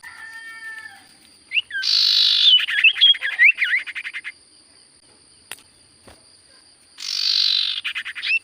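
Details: Sirtu cipoh, a Common Iora, sings nonstop: a soft low whistle, then a harsh buzzy burst running into a quick series of twisting whistled notes, a pause, and another rasping buzz.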